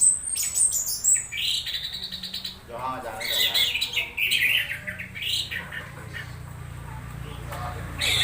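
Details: Orange-headed thrush in an odd-sounding conditioned state, played to make others sing during misting: high squeaky whistles, chattering notes and rapid stuttered trills, with a low hum in the background.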